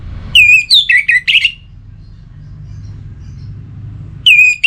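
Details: Caged orange-headed thrush in breeding condition, singing to call a rival: a quick run of four bright slurred whistles with buzzy overtones, a pause with only low hum, then another sharp whistled phrase at the end.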